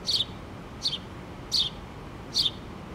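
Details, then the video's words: A mother house sparrow and two baby sparrows with open eyes sit in a pole on 3 August 2017. The babies chirp: four short high notes about three-quarters of a second apart over a low steady rumble. "Mama House Sparrow And Her Two Cute Baby Birds"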